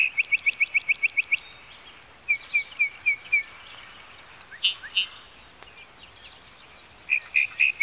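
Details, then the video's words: Yellowhammer song in bursts: a rapid string of about ten bright chips, a pause, a slower descending run, two rounder notes, and a final quick series of chips. "Пение птиц - Овсянка"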